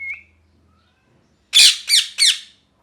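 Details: Angry pet parrot, molting and short of feathers, calling indoors: after a short whistle, three loud harsh squawks, each dropping in pitch, spaced about a third of a second apart, in a quiet room.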